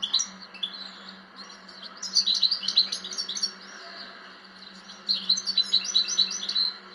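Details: European goldfinch delivering fast, liquid twittering song in two dense runs of bright, high notes separated by a brief lull, over a faint steady hum.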